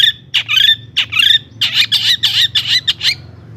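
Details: Long-tailed shrike singing to provoke other shrikes: harsh, squawky high notes and scratchy twangs given in quick, uneven succession.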